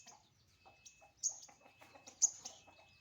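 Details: Sunbird during morning sunning, giving sparse, sharp, very high piercing notes. Two louder accented notes about one second apart stand out over faint twittering and a thin steady background tone.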